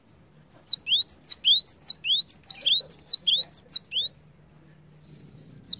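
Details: Cinereous tit lure song for getting other birds singing: about six even three-note phrases in quick succession, bright high whistles and rising notes, then a pause and one more start.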